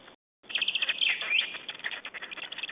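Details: Feeding session of Estonian black storks, recorded 20 May 2012: a continuous run of loud, high, chirping and squeaky calls, dense and rapidly repeated, with rustling and crackling noise underneath.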